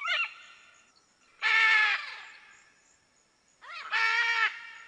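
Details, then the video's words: A macaw in nature screeches twice, each call a loud, harsh, nasal squawk about half a second long that opens with a short rising note. The calls are roughly two seconds apart in quiet surroundings. "Macaw sound, Video macaw singing in nature (incredible)"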